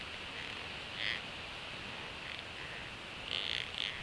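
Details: Adult female bald eagle feeding fish to her two eaglets at a northeast Florida nest; thin high-pitched chirps, a single note early on, then a quick cluster of three bright peeps near the end, with constant hiss behind.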